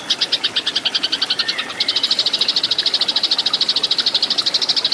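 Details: Eurasian tree sparrow fighting song used to train cage birds: a long rapid run of sharp, high chirps, about eight per second, with a brief faltering spot before the string continues steadily to the end.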